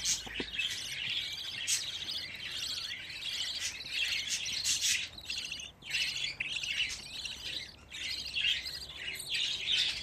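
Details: Young budgerigars, fifteen chicks together and still nervous, fill ten seconds with busy, high, twittering chatter, breaking into clusters of rapid scratchy chirps with short gaps near two and six seconds.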